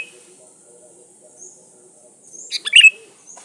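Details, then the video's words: Against a steady high hiss and soft background murmur, a Sooty-headed bulbul gives one bubbly phrase ending in a bright falling whistle, from song used to lure rivals. "SUARA BURUNG KUTILANG GACOR SATU INI AMPUH BUAT SUARA PANCINGAN"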